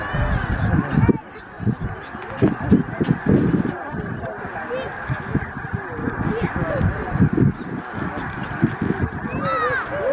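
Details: Snow goose flock at Middle Creek Wildlife Management Area, Stevens, Pennsylvania, USA, late February 2023. A chattering mass of honks pulses in louder waves, with a brief lull near the start and rising yelps near the end.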